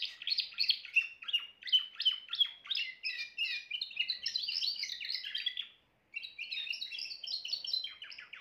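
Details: Timbrado canary singing distinct bursts of fast trilled notes, then a denser rolling passage, a short silent break, and further quick high chirping phrases.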